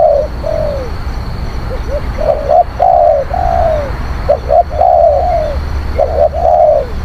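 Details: Low, mellow spotted dove cooing for luring wild doves: double clipped notes, each followed by a long, slightly falling coo, repeated in quick succession over a low hum.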